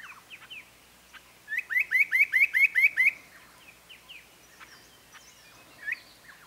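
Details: Spot-breasted parrotbill (Paradoxornis guttaticollis) call: a quick run of about eight clear, upslurred notes, roughly seven a second, with softer scattered chips before and after.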